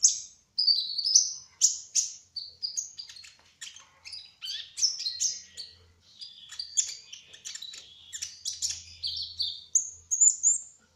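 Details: Long continuous 'gacor ngerol' song from a spotted trotol kolibri ninja sunbird, a rapid tumbling stream of high, thin chirps and whistles with barely a pause.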